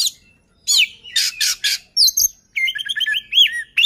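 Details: Song of an Oriental magpie-robin, meant to trigger other birds to sing, with varied whistles, buzzy bursts and rapid rising-falling trilled notes in quick succession.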